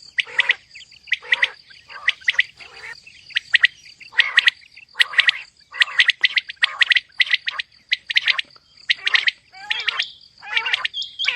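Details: A female common quail calls, in a recording of quail sounds used for hunting: harsh, chattering bursts about once a second at an uneven pace, sometimes overlapping, over a steady thin high whine.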